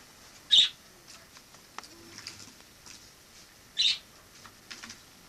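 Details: A wild sparrow kept at home, having entered through the balcony in autumn 2006, utters two piercing high chirps roughly three seconds apart, with faint clicks and ticks between them in a quiet room.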